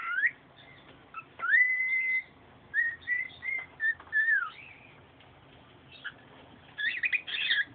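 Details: Pet singing bird kept indoors, whistled song of clear sliding notes near two kilohertz, one long level whistle followed by short warbled phrases and a bright twittering burst at the end; quiet room.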